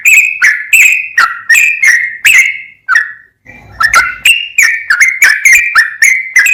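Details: Full ropel song of a sooty-headed bulbul: brisk, clear whistled notes with quick up and down slurs, a brief pause with a faint low rumble, then more rapid notes.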